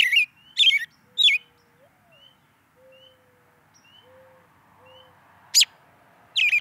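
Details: American robin (Turdus migratorius) chirping: three sharp, loud chirps in quick succession, a quiet stretch with faint thin whistled notes and a low soft tone, then two more abrupt chirps near the end.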